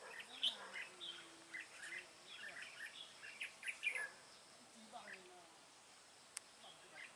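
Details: Red-whiskered bulbul at a trapping site: short, bright chirped and warbled notes in quick scattered bursts, with faint low murmuring voices and a sharp click near the end.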